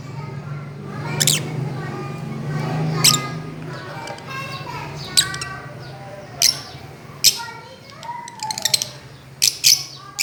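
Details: Pet Fischer's lovebirds playing on a swing utter high shrill chirps and squawks at irregular intervals, some in short clusters, over a low background hum with faint tonal sounds between calls.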